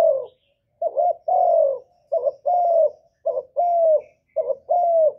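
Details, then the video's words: Captive-dove lure of a spotted dove singing loudly with no background noise: slow mellow phrases, a short clipped note then a long sliding coo, repeated roughly every second. "Cu gáy lớn tiếng, không tạp âm, giọng hay dễ mở, cu gáy kích bổi, cu gáy đi bẩy, cu đất gáy, cu cườm"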